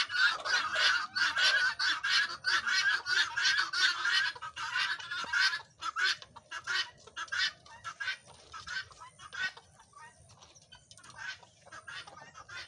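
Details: Helmeted guineafowl on a farm chatter in harsh, grating bursts, many birds overlapping in a rapid repeated racket that fades to scattered calls toward the end.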